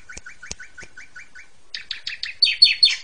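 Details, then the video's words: Training song of an Asian pied starling for young birds: seven quick identical upslurred whistles with sharp clicks, followed by louder rasping, descending notes. "JALAK SUREN KUALITAS TERJAMIN!!! PANCINGLAH JUNIOR ANDA PAKAI MASTERAN INI"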